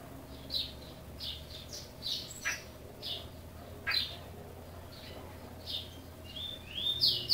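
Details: Caged chopi blackbird from Brazil giving spaced, short whistled and slurred notes roughly every half second to second, ending in a louder burst of notes, with a constant low hum in the background.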